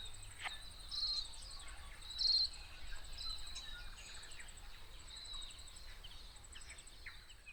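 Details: A Tomtit (Petroica macrocephala) in late autumn in the Maungakotukutuku Valley, New Zealand, gives two brief, thin, high-pitched notes about a second apart, over a steady shrill insect hum and faint background chirps.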